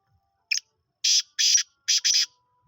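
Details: A five-month-old black francolin calling for the first time: a short harsh opening note, then four grating, high-pitched syllables in quick succession, against a silent background.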